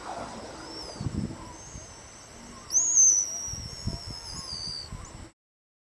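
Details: Pigeon guillemots giving a high-pitched whistle call: a loud, thin, sustained whistle lasting about two seconds that slides slightly downward, with fainter whistles nearby. Soft low thumps and rumbling sound underneath.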